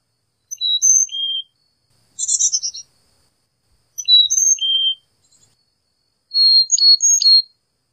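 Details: Carolina chickadee alternating high and lower pure whistled notes in repeated phrases, with one harsh buzzy call burst between the phrases; no other sounds.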